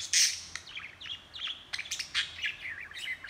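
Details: Budgerigar kept as a pet, chattering away on a handheld recording; a loud harsh squawk opens, then rapid warbling chirps, clicks and twittering notes tumble on without pause.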